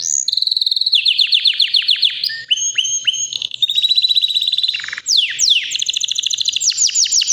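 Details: Nonstop song from a white canary, about three years old and ready to breed: long rapid trills of descending notes, whistled slurs, a deep buzzy dip, then swift high sweeping phrases.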